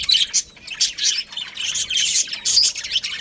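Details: Pet budgerigar breeding pair calling with rapid, harsh, high-pitched chirps and squeaky squawks that come in clusters, each burst lasting about half a second, separated by brief quieter gaps.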